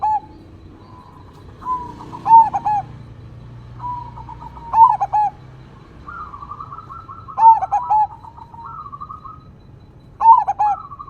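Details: Crossing zebra dove, loud and vocal, singing in 'engkel' style: four stuttering trilled coo phrases spaced a few seconds apart, interleaved with buzzy rolled coos, over a faint background of nature sounds.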